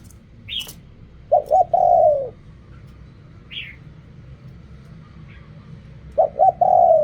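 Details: Spotted dove in Thailand cooing: two phrases of two short coos and a long falling coo, several seconds apart, with brief higher chirps from other birds between them and a low rumble throughout.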